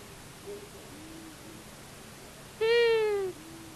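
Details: A long-eared owl, one of a male and female pair visiting a common buzzard nest in Tiszavasvári, Hungary, on March 23, 2022: faint, soft notes come first, then one loud, nasal, slightly falling call lasting about 0.7 seconds.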